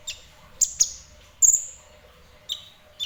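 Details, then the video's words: Kolibri ninja sunbird giving a few isolated very high, sharp chirps with long gaps in between, including one slightly longer piercing note. "Burung Kolibri Ninja Semi Gacor"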